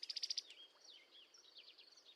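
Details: A mated pair of brown-headed cowbirds (Molothrus ater) sing a duet declaring their bond: the female gives a quick, loud, high rattle of about six notes, and the male adds thin, squeaky, slurred gurgling whistles that trail off.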